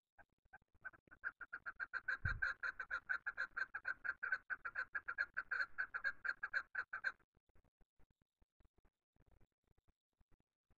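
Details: Chukar calling in a hunting setting: a rapid, uneven series of harsh clucking chuck notes, roughly two per second, that runs for about seven seconds and then stops, leaving faint scattered clicks.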